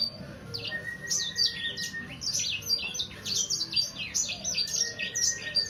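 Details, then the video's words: Three-month-old Sangihe hanging parrot in song: rapid, high, scratchy chirps and twittering downslurs run together without break, alongside a thin sustained whistle in the background. "Burung sanger paud..durasi 2 menit tanpa jeda."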